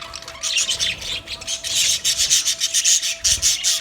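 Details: Budgie colony chirping in rapid, raspy pulses, about two or three a second, mixed with thin high whistled notes over a constant faint tone.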